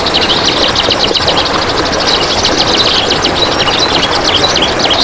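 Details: Kapas tembak song used as a training recording for other birds, a dense, fast run of high chattering notes repeated without pause over steady background hiss.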